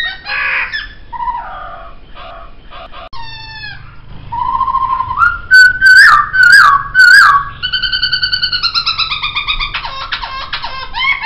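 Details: Captive laughingthrush delivering a long, varied song: scratchy chatter, nasal harmonic notes, then a rising whistle into loud pulsed bursts and a sustained, rapidly trilled, richly harmonic rolling phrase.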